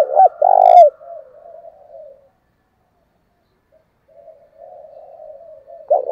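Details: Spotted dove cooing in the thổ voice style mixed with fight-urging coos, used to stir long-lazy wild-caught doves into cooing: two loud short coo notes, then soft low murmuring coos, a pause, more soft cooing, and a loud coo at the end.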